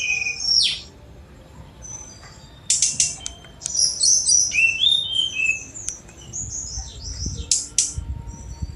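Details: Sunda robin song opening with a high whistled phrase, then a lull, then a burst of scratchy high notes, sliding whistles and chattering trills, ending in sharp strokes.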